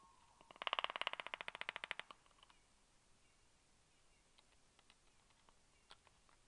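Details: Four black stork chicks at their nest in Karula National Park, Estonia, on a morning in August (12-8-22) during breakfast time, give a quick burst of about fifteen harsh, rasping pulses over a second and a half, then only faint scattered clicks.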